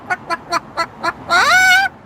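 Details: Pet Moluccan cockatoo, a 31-year-old male, sounding his trademark Bok Bok on a patio: five evenly spaced short clucks, then one long, loud, raspy screech that rises and holds.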